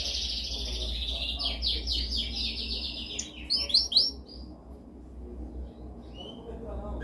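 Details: Canary's dominant training song: a run of rapid, repeated descending notes, a brief louder burst of sharp high chirps, then quieter sparse whistles over faint background hum.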